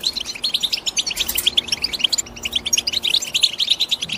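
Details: European goldfinch twitters: fast, bright chirps and liquid tinkling notes packed closely, short dip near two seconds, then continuing densely to the end.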